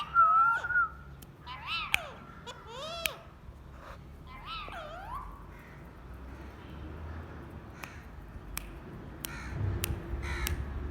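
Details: Talkative pet parrot indoors at home gives a run of bending, warbling squawk-like notes over the first three and a half seconds, followed by low room noise and scattered sharp clicks.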